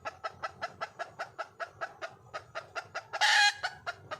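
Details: Junglefowl hen calling out to find a male: quick repeated clucking notes about four per second, broken near the end by one brief loud, harsh burst before the clucks resume.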